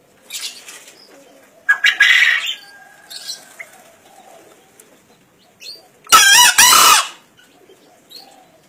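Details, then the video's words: Forest-caught green junglefowl, 1.5 years old, from Kediri, recorded for a 2016 crow contest. After soft chirping, it lets out one sudden, raspy crow of two quick harsh bursts, lasting about a second. "KOKOK AYAM HUTAN HIJAU"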